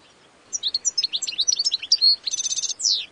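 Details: After a brief quiet start, a European goldfinch bursts into a tinkling twitter of high chirps, followed by a buzzy nasal phrase and a final downward-slurred note.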